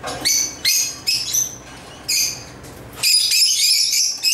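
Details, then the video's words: African lovebirds playing with toys: sharp separate chirps come about every half second for three seconds, then a dense burst of rapid high twittering. "Love birds chirping & playing toys"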